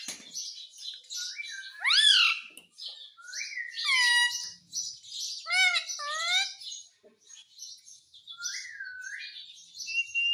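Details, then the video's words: Indian ringneck parakeet talking Hindi words such as "mummy" and "mitthu": several nasal, squeaky, speech-like phrases with bending pitch, some sliding up, some dropping, over a background of soft high chatter. "Bolne wala tota - mummy mummy bolta tota - talking parrot - mitthu mitthu"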